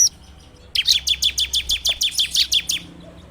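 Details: Bar-winged prinia, a training lure recorded on an Android phone: after a short pause, a steady run of about a dozen sharp, high chirps repeated roughly three times per second.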